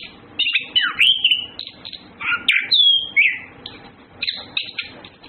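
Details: Orange-headed thrush, known locally as Anis Kembang, with males and females courting: varied whistled phrases with sweeping slurs and rising and falling notes, delivered in short bursts separated by brief pauses.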